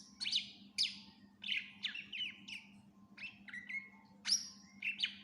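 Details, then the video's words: Greater green leafbird singing a lively full song with mimicked phrases, for training other birds: sharp downward-slurred whistles repeated in short bursts about every half second, mixed with flat whistled notes, with a low electrical-sounding hum behind. "Cucak Ijo gacor FULL Isian cocok buat masteran burung læn"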